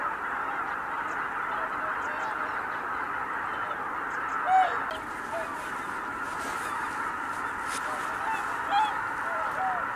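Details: Greater white-fronted geese at Kabukuri-numa, Japan, on 12 January 2019, a flock taking off together: a dense, unbroken roar of many honking voices, with a few clearer upslurred honks standing out near the middle and end.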